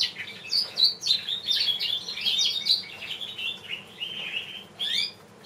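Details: Champion variegated Border canary cock in song: a rapid sequence of sweet whistled notes and rolling trills, descending and rising in quick steps, ending with a short pause and one final chirped phrase.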